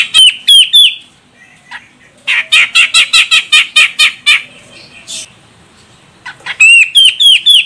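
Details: A female grey-cheeked bulbul of the Medan, Sumatra form calls to provoke a male: three bent whistles, then a steady train of about a dozen harsh chattering notes, closing with a fast string of whistled notes.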